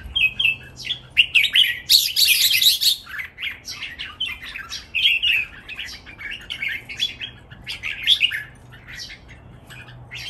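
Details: Three caged red-whiskered bulbuls in competitive, energetic singing meant as a master recording for training: rapid chattering run of sweet whistled notes and trills, dense overlapping phrases, a harsher burst early on, faint room hum underneath.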